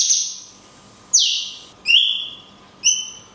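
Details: Cungkok performing the long 'tembakan kunti' style, recorded as a training master for songbirds: high whistles sweep sharply downward, followed by two short rising whistled notes about a second apart over a faint steady hum.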